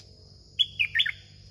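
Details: A caged red-whiskered bulbul, singing continuously, gives a short burst of bright, bubbly whistled notes.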